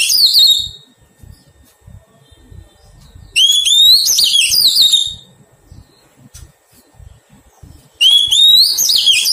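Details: Captive wild-caught Oriental magpie-robin under taming sings three separate loud phrases spaced by pauses of a few seconds. Each is a rising whistle that turns into fast, tumbling, twisting notes over quiet low background noise.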